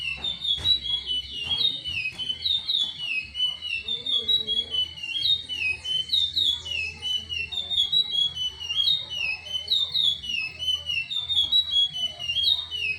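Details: Chestnut-bellied seed finch giving a long Timbira song, a steady stream of bright whistled notes that rise and fall in short looping slurs, repeated phrase after phrase for thirteen seconds, over a faint hum.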